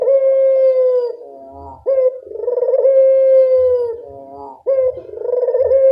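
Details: Puter dove giving strong, repeated coos for training silent birds: long steady mellow tones separated by softer descending trailing notes, with faint low thumps in the background.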